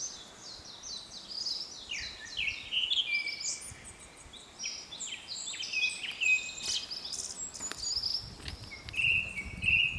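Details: Highland song of a Japanese thrush: clear, high-pitched whistled phrases, several falling in pitch, delivered in quick succession, then a pair of short trilled notes near the end; faint background hiss throughout.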